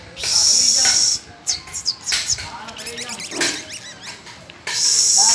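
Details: Canary and its young pupils practising song on May first. A high sustained rolling trill opens and closes the passage, with looser chirps and short sliding notes between the trills and faint low background sounds.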